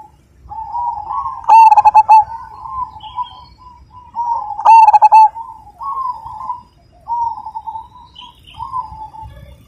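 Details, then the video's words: A Majapahit zebra dove in full song with a big 'kung' voice gives gentle, rolling coos between two loud, stuttering bursts of quick pulsed notes about three seconds apart. "Perkutut Majapahit Gacor Dan Ganteng, Suara Besar,Super Kung"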